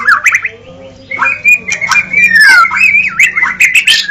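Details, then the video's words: White-rumped shama song, used as a reference for training birds: a long wavering whistle with squawky, scratchy notes and clicks around it, over a low hum. "jaminan bunyi pkai suara murai batu"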